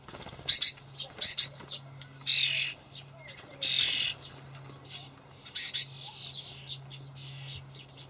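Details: Young common starlings in a Hamburg allotment garden on 28 May 2012, fed dried buffalo worms by their parents: scattered harsh, hissing bursts, some short and some longer, separated by quiet gaps over a steady low hum.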